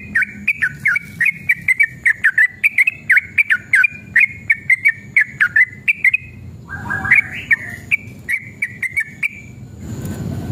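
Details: Sooty-headed bulbul, male, singing in an aggressive, fighting mood with long rapid phrases, used to provoke other bulbuls into song. Rapid chains of clear, slurred whistles continue for six seconds, then a few looser notes, ending in a rushing noise.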